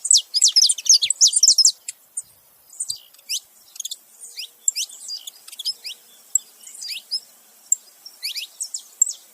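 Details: Male and female Saffron finch together calling: a fast cluster of high, thin chirps at the start, then scattered downward-sweeping tsip notes spaced irregularly through the rest.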